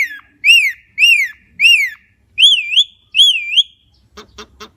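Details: Javan myna singing a string of clear, arched whistles, a few of them wavering up and down, followed at the end by three short harsh rasping notes.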